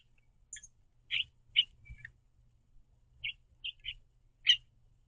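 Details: A pair of house finches at a backyard seed feeder calling to each other; scattered sharp high chirps, single or in quick pairs, separated by short pauses over faint low rumble.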